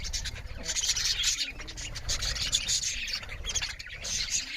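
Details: Several budgerigars chirp loudly while eating, a dense overlapping chatter of high twittering and scratchy notes that runs without pause, with low rumbling noise underneath.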